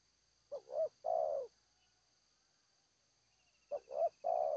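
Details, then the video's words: Spotted dove cooing: two short phrases, each a brief note, then a low rolling coo and a longer drawn-out final coo, separated by about two seconds of quiet. "Amat Terkukur- Seladang Jati suara pehhh mantap"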